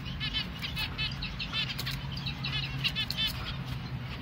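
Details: Young finch during hand-feeding, uttering rapid, repeated high chirps in an almost continuous series, each note short and slightly arched, with a steady low hum running underneath.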